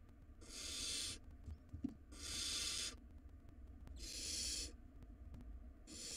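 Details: Barn owl nestlings in a monitored box, wild and fighting over a large rodent. Roughly every two seconds a harsh hissing screech of under a second repeats, four times, with scratching noises between.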